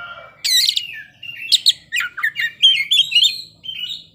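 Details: Oriental magpie-robin singing in the ngeplay style and showing off its isian, or fill-in repertoire: bright whistled and chattering phrases that jump in pitch, with short notes bunched into quick bursts after a pause. No other sounds.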